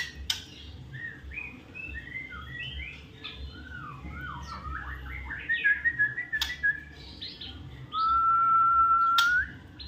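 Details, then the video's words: Magpie-robin in full song: a tumbling series of varied whistled and slurred notes with a few sharp clicks, ending in a long, steady, slightly rising whistle held for over a second. "murai avatar"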